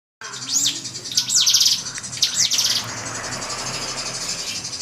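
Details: Drongo song meant to provoke a rival: three bright, high, downward-swept chirps, each followed by a buzzy rattling burst, spaced about a second apart over a hiss of background noise.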